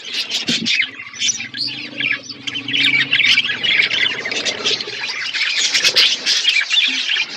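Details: Feeding budgie flock on winter food, Asia: steady mass of shrill chirps, squeaks and warbled chatter from many birds, with a low hum at the start.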